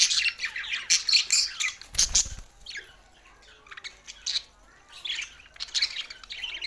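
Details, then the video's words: Several budgerigars chatter in bursts of fast twittering and harsh squawks, with a loud scratchy noise near two seconds and a short quieter pause midway before the warbling resumes. "Budgies Sounds for Lonely Happy singing"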